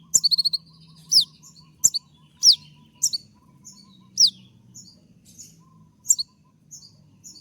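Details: Konin, a moulting kept songbird, producing a brief fast trill then scattered loud high chips and steeply falling whistles spaced about a second apart, with a faint low hum.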